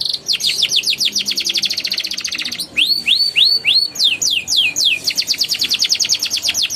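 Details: Canary song played as a lure for young canaries that have gone silent, ngeriwik and ngeroll style: a rapid rattling trill, then rising whistled notes and falling sweeps, closing with another long fast trill.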